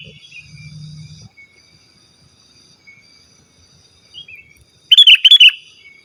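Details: Sooty-headed bulbul in vigorous song, a pure recording meant to call a rival and to tutor caged birds: one loud burst of bubbling, slurred whistled notes near the end after a long quiet stretch with faint high tones.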